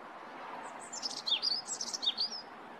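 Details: European robin in a short nature compilation: a quick burst of high, thin, tinkling notes and trills, rapidly varied and warbling, lasting under two seconds over a faint background hiss.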